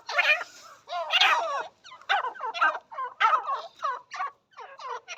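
Partridge giving a rapid series of harsh, chattering notes, about two or three per second, loud and grating with little pause between bursts.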